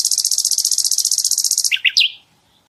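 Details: Sikatan londo flycatcher song for tutoring cage birds: a very high, rapid rattling trill of evenly repeated pulses lasting nearly two seconds, followed by three short slurred notes.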